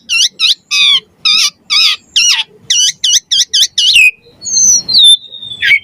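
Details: Energetic Javan pied starling song full of varied fill phrases, meant for tutoring and provoking other starlings: a series of short, harsh, harmonic-rich notes repeated about twice a second, then long sliding whistles and a final burst.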